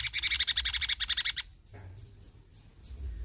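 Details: A cucak cungkok bulbul performs besetan: a rapid buzzing rattle of about a second and a half, followed by soft high ticking notes spaced roughly every third of a second.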